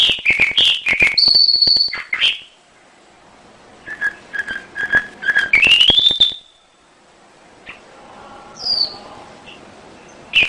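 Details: Canary song as a lure for other canaries: bursts of chirps and rolled notes, a high held whistle, then a rising trill, with clicks and a quiet gap before a single high note.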